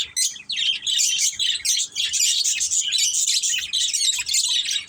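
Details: Budgerigars in a family group, kept as pets, keep up a continuous warbling chatter of bright, high chirps and scratchy notes, rising and falling in short overlapping bursts.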